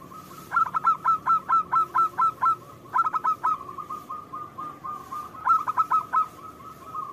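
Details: Local zebra dove singing actively, used as a lure song to draw answers from other doves: loud, clipped cooing notes in quick runs of about eight, then pauses. A softer rolling trill hums steadily beneath.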